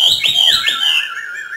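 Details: Brief phrase from a trained northern Vietnamese Hwamei singing 'hót thả': loud, pure wavering whistles looping up and down, sliding to a lower sustained note.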